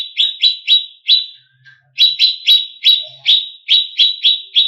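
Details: Greater green leafbird song meant to provoke contest birds: brisk bursts of sharp, high, falling chips, four in the first run, then about ten after a short pause, each note clipped and bright.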